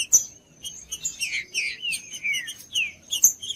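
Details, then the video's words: Green-winged saltator song played to warm up a cold bird: a few quick, sliding whistled notes falling in pitch, mixed with sharp clicks and a faint steady high tone, in a brief burst. "TRINCA-FERRO CANTANDO/ESQUENTAR TRINCA FERRO FRIO"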